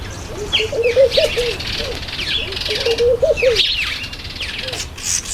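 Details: Black-collared barbet at a feeding table: two runs of low, rhythmic, hollow notes ending in a rising flourish. Scattered high chirps and whistles come from other birds nearby.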